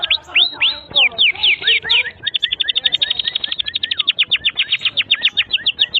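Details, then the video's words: Canary tutor song for young and silent canaries: fast looping whistled slurs, followed by a long rapid chain of high chips and upswept notes, with soft lower warbling underneath. "Kenari GACOR PANJANG INI Cocok untuk Masteran KENARI PAUD dan Kenari Macet BUNYI"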